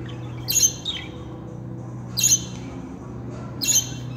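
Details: Pet budgerigars said to talk, both sexes, utter three sharp, piercing squawks about every one and a half seconds, each a bright high burst with a short buzzy tail, over a steady low hum.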